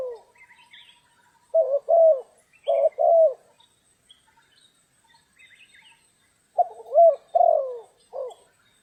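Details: Spotted dove recorded while being trapped in rainy, stormy weather in Vietnam: two clusters of low, mellow paired coos separated by silence, the second group ending in a single shorter coo, faint distant chirps behind.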